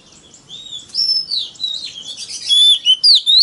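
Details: Oriental magpie-robin forest-voice song played to lure and challenge rival birds: softer warbled notes build into loud clear whistles and rising slurs toward the end.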